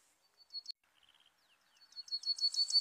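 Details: Serin song used as a lure for trapping birds: very high, thin chirps and short twittering notes, a brief rattled series, then a rising burst of rapid jingling, buzzy notes at the end.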